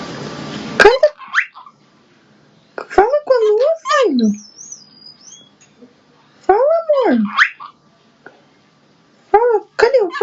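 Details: Cockatiel; song; male singing to court a female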